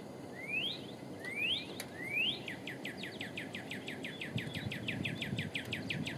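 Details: Male northern cardinal song used to defend territory or court a female: three rising, whistled slurs, then a rapid string of short, downslurred 'chew' notes, with a steady low hum underneath.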